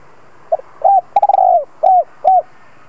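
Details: A decoy spotted dove (Spilopelia chinensis) calling to lure wild doves to call back gives soft, hollow coos around 700 cycles: a short note, a stuttering rolled coo, then two clear falling coos.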